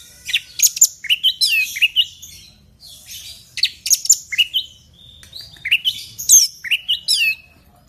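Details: Orange-headed thrush singing loudly in the 'teler' style to spur a kept bird: three phrases of sharp high notes and fluid looping whistles, each phrase packed with rapid varied chirps and separated by short pauses.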